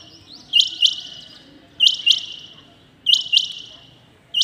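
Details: Clear doubled call of a rain quail in the early morning. Two sharp, high, piercing notes come close together, and the pair repeats roughly every 1.25 seconds against quiet low background hum.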